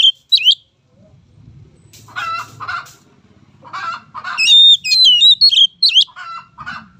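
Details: Oriental magpie-robin lure song for training young birds. Harsh, raspy chattering notes and a low murmur come first, followed by a long, loud phrase of clear, twisting whistles and then more rough calls.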